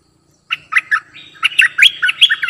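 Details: Cream-vented bulbul, a new decoy bird calling to lure wild birds down: a burst of bright chirpy, warbling notes in quick uneven groups after half a second of silence, with a steady thin whistle underneath; quiet background.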